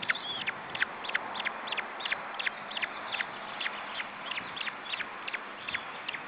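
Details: June 2012 at an osprey nest in Estonia: chicks being fed keep up thin, high, falling peeps at an uneven quick pace, over steady soft background hiss.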